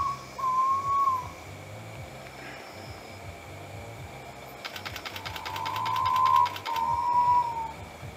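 North Moluccan pitta giving long, mellow, level whistles of about a second each, one and then a close pair, over a buzzy insect rattle and a low rumble.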